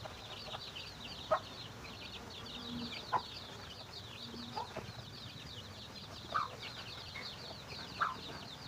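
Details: Chickens finding food for their young: a steady chorus of high, thin, downward-slurred peeps runs throughout, broken by five short, sharp lower clucks spaced irregularly about every one to two seconds.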